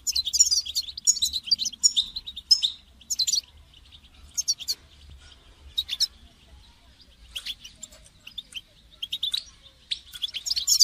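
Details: Caged European goldfinch, calling to motivate a caged goldfinch to sing; sharp high twittering bursts come and go irregularly across the recording, with quieter spells between.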